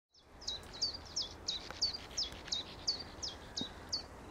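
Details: A Common Chiffchaff sings a steady run of sharp, high chiff-chaff notes, about three per second, over faint background hiss, at Rutland Water Nature Reserve in May 2021.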